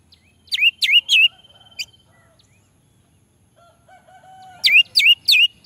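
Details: Orange-headed thrush song played as a lure for lazy males: bright whistled phrases with sharp downward-then-rising slurs, three in quick succession, a pause with soft lower notes, then three more.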